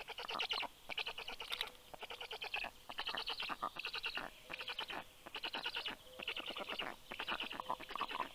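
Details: At a Black stork nest in Karula National Park, southern Estonia, early morning of 19 June 2023, an adult brings breakfast for the chicks. Regular bursts of harsh stuttering pulses repeat roughly every second, each about half a second long.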